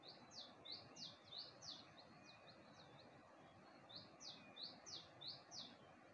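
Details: Dawn in Gulmit, Hunza, near the Passu cones: a bird gives rapid series of high downslurred chirping notes in two phrases of about six notes each, rather quiet against a noticeable background hiss.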